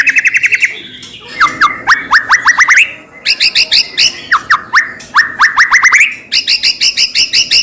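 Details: White-rumped shama singing to provoke a rival shama: rhythmic series of short rising whistled notes in bursts, alternating with higher doubled chips, loud and repetitive.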